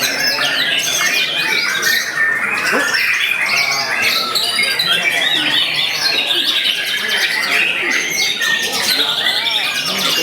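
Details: White-rumped shama recorded at close range, singing in its bursting style: dense, loud run of varied whistles, rapid chirps and sharp squawky notes, mostly high-pitched, with continuous layered song and possible background voices.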